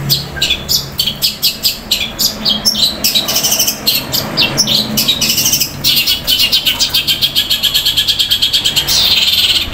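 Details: Olive-backed tailorbird (cendet) in a fast, loud, long rolling fighting-style song: dense runs of sharp high chirps and trills, repeated rapidly with short bursts, ending in a buzzy burst.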